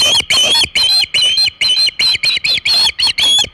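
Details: Osprey on the Hog Island nest with a shad, 27 August 2019: loud, drawn-out whistled calls, each about a quarter second long, repeated with short gaps.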